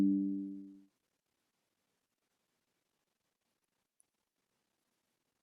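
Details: A short low musical note fades out within a second, then near silence with one faint click.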